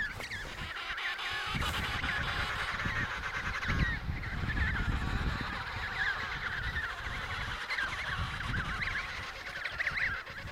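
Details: Emperor penguins calling in the Riiser Larsen breeding colony, Antarctica, at 72°06 S, 15°06 W in November 2010: a dense chorus of many overlapping warbling, trumpeting calls, with low wind rumble beneath.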